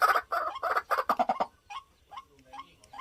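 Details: Captive decoy white-breasted waterhen gives a series of loud, grating croaks about three a second, then falls to faint, spaced single notes.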